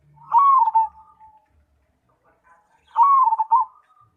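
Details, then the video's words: Cemani zebra dove singing energetically: two soft, rolling coo phrases about two and a half seconds apart, each a brief rising note then a bubbly, wavering trill that drops away. "Perkutut Cemani Gacor"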